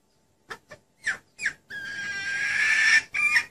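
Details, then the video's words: Female red junglefowl calling to attract males: a few short soft clucks, then a long drawn-out ringing note that holds steady for over a second before breaking off, followed by one brief final note. "Suara ayam hutan betina pikat"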